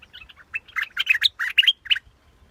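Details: A scarlet-backed flowerpecker delivers a short, hurried run of scratchy, buzzy chirps that builds in loudness, then stops abruptly after about two seconds.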